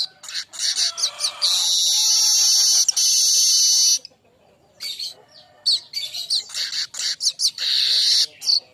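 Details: Young streaked weaver (manyar kembang) singing as tutor song for cage birds: rapid high chips leading into long, loud sizzling buzzes, a short silence, then more chips and a final sizzle.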